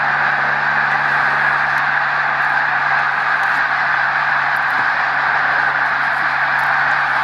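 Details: Thousands of snow geese flying over the St-François river at Drummondville, Quebec, near the Hemming Falls dam in November 2012, calling together; high yelping notes blur into one steady, unbroken roar over a faint low hum.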